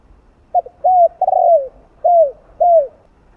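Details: Cooing of a spotted dove, 2-ending phrasing meant to excite other doves; a short note, then four mellow low coos, the middle one drawn out and sliding down, in a quiet setting.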